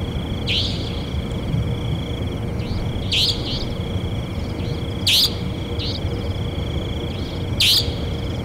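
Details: Savanna nightjar repeating a rasping, upslurred buzzy note about every two and a half seconds, four times, each followed by softer echoing notes, against a continuous high thin whine and low background rumble.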